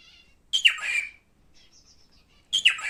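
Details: Two harsh rising screeches from a pet male cockatiel about two seconds apart, with faint high whistling between them.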